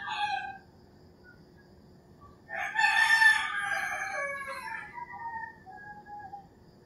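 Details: A rooster crows at daybreak in the rural Philippines, a long, hoarse call trailing off over about three seconds. A short distant crow comes first, and fainter crowing follows.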